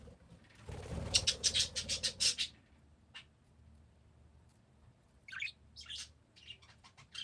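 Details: Parakeets break into a fast run of loud, harsh, rattling chatter for about a second and a half, then fall quiet before a few scattered high chirps and squeaks return.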